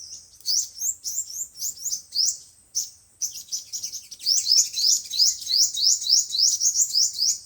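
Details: Sunbirds, five-colour and seven-colour, a speaker lure for trapping wild birds: quick rising high chirps in runs, growing denser and louder in the second half.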